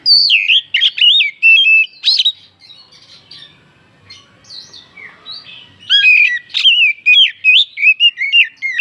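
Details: Oriental magpie-robin lure song used to stir other birds to sing: loud varied whistles and harsh squawky notes in rapid bursts, a quieter stretch of soft chatter in the middle, then another strong run of phrases.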